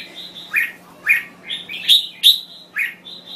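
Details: Red-whiskered bulbul of Thai origin pouring out cheerful warbled phrases, alternating sharp chirps with sustained high whistles in quick succession over a faint constant hum.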